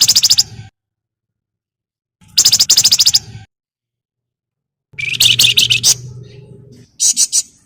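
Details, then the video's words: Javan fulvetta chattering crecetan as a lure to make other birds sing: four bursts of rapid high chips, the third longer and buzzier with a trailing rasp, separated by pauses of one to two seconds. "BURUNG FLAMBOYAN GACOR CRECETAN BUAT PANCINGAN"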